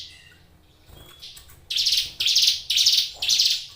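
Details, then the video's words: Caged Hill Prinia: faint soft notes at first, then loud buzzy, rasping notes repeated about twice a second in the second half. "suara ciblek gunung gacor"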